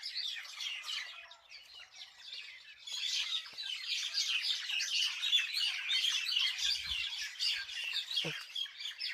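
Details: Village birds twittering, sparse chirps at first, then a louder dense chorus of high rapid notes, with a low thud near the end.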